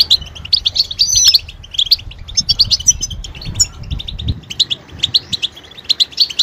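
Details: European goldfinch giving betbeta calls, mating and readiness calls used to stimulate silent males to sing. Dense bursts of high, bright chirps and twittering notes in rapid clusters, with brief pauses and short sharp accents.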